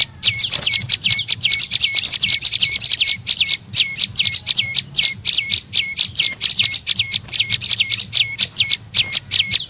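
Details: Prenjak lumut tailorbird lure call meant to attract birds: a rapid, steady chain of high chirps with downward flicks, about four notes a second without pause.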